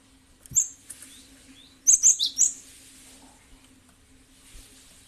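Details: Lure recording of a cinereous tit (gelatik batu): a lone sharp chirp, then a rapid run of four high, clipped notes, followed by soft rustling and a faint background hum.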